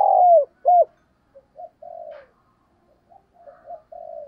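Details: Spotted dove calling as a lure for other doves: a long falling coo and an arched note at the start, then quieter, softer trailing coos.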